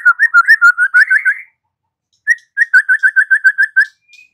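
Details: White-rumped shama song used as a lure to make another bird answer and sing: a fast run of clear, repeated whistled notes, a short pause, then another rapid series of even, similar whistles.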